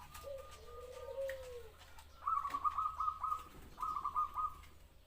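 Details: Zebra dove singing: a soft, low drawn-out coo followed by two bursts of rapid, staccato, higher-pitched cooing notes, with faint background hiss.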